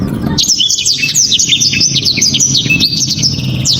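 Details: Blacktrod song, loud and dense. Rapid high whistled notes and sweeping slurs run almost without a break for over three seconds, over steady low rumbling noise.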